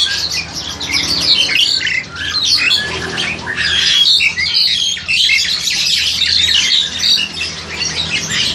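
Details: Captive Crested Myna aged about seven to eight months, ready for breeding, phone-recorded; loud harsh squawks and scratchy chatter in quick succession, continuous with slight dips, low hum beneath.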